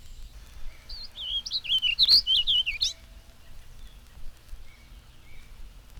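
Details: In spring, a Warbling Vireo in a maple gives one hurried, hesitating warble of slurred high notes in sentence form, about two seconds, ending on a rising inflection like "iggly, piggly, wiggly, pig," over faint low hum; 1954 recording.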